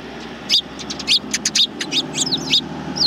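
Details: Greeting chirps from a group of sparrows, 7 April 2020, on the way out, including one injured in the foot; a busy run of sharp, high, slightly downslurred notes, irregularly spaced, over soft background noise.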